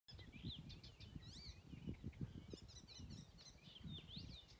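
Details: Icterine warbler (Hippolais icterina) in Dyngelandsdalen, Bergen, in June 2020, gives a quick, varied run of high chattering, squeaky and slurred notes over a heavy low rumble of wind or distant traffic.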